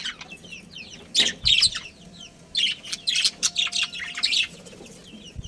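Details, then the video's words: A breeding pair of budgerigars and their family give busy, high-pitched chirps in two bursts of rapid notes, with softer twittering in between. "Adorable Budgies Chirping Sounds"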